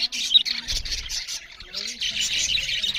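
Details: Budgerigars eating and chirping loudly, a steady wash of scratchy, high chattering notes in quick bursts, with soft low knocks and a faint murmur beneath.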